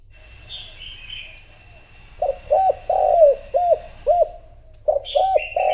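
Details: Spotted dove kept as a decoy to attract wild doves, silent at first, then a rapid series of rounded low coos, one longer and slurred, while small birds chirp higher and faintly.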